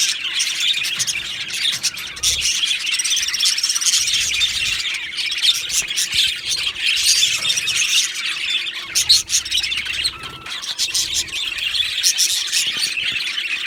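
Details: Two male Australian budgerigars in a long chattering warble: dense, high, scratchy chirps and squawks, a few drawn-out whistles, and a short clear whistled note near ten seconds.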